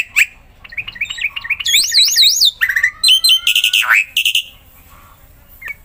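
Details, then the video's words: Black-winged myna, a caged bird used to spur other mynas to sing, pours out a varied medley: rapid chirps, high wavering whistles, a long level whistle, buzzy bursts and a steeply falling note. "JALAK PUTIH GACOR"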